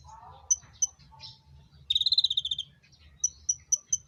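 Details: Konin bird during mating: scattered sharp high pips, one mid-clip burst of fast pulsed trill notes falling slightly in pitch, and a closing series of four evenly spaced thin pips.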